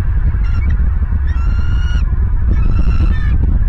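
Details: Nesting bald eagle in Southwest Florida on November 13, 2022, following its mate in search of prey at midday, recorded by a nest camera: two bursts of high, squealing, held notes with a slight rise, over a strong wind roar.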